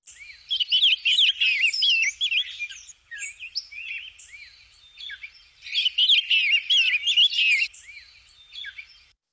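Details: A female Rose-breasted Grosbeak singing from the nest, her song not quite the quality of the male's: two rich, warbled phrases of quick rising and falling whistled notes, each about two seconds long, with brief pauses between.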